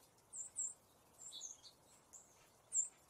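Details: Fox sparrow scratching the ground for food and eating seeds; a few very high, thin chirps in short bursts, two close together, then a longer slurred note and a final sharp chip, over a quiet background.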